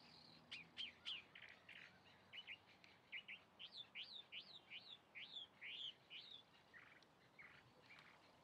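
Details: Song of a chalk-browed mockingbird: a choppy sequence of harsh chips followed by a run of bright rising-falling whistled loops, each note repeated in quick succession.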